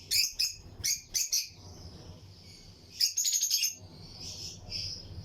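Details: Pairs of lutino lovebirds in a breeding colony cage: clusters of shrill chirps at the start, a quieter twittering gap, then a fast rattling run of high notes and softer trailing calls.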